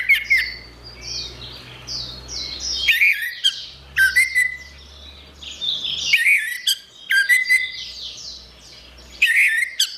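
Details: Song of an Orange-headed thrush, played to get non-singing birds singing again: loud whistled notes and rich, squeaky warbled phrases return about every two to three seconds, mixed with fast high twittering and a faint low hum.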